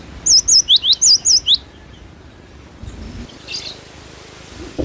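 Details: Cinereous tit (glatik batu) singing vigorously: a quick run of about eight high whistled two-note phrases, alternating sharp upper and lower notes, lasting a second and a half, then quiet background with faint distant sounds.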